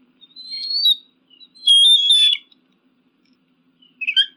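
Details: Eagle call used against pigeons and crows: a wavering high whistle, a longer steady whistled note with harsh edges, then a short sharp squeal.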